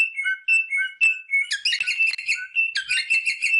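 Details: Rosella parrot vocalising to prompt mating: a few clear, ringing whistled notes followed by bursts of busy, bright chattering.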